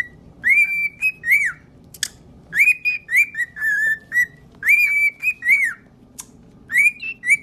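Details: Singing parrot repeating a whistled melody, loud pure notes that swoop up then level off or dip, grouped in phrases of three to five notes with short gaps, occasional sharp clicks, low steady hum behind.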